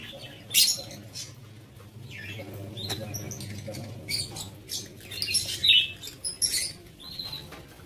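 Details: Breeding-aviary lovebirds produce high, squeaky chirps and rasping squawks, one loud burst early, then a busier run of calls near the end, over faint low hum.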